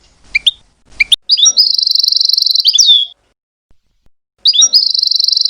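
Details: European goldfinch in hobbyist care, two short sharp chirps, then a long rapid buzzy trill held steady at high pitch ending in a downslurred twist, a pause, and the trill begins again.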